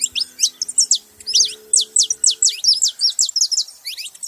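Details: Saffron finch singing loudly at close range: a brisk series of bright, steeply sliding high notes, about three or four a second, with a faint steady hum in the first half.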